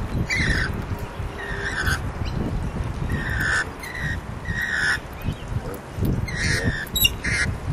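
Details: Lorikeets in Neutral Bay, Sydney, giving short, harsh, shrill screeches in bursts every second or so, with a low background rumble of traffic.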